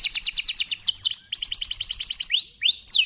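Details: Canary in long, powerful full song: rapid trills of repeated high chirps, fast rolling series broken by sweeping upward slurred notes, dense and continuous throughout.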